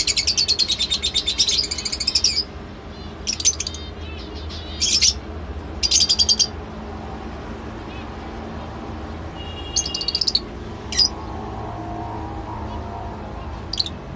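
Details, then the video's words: Lovebird calling in bursts of shrill, buzzy high chirps with stacked overtones, a fast chattering run at first, then separate short squeaks spaced by pauses over a steady low hum. "love bird sounds"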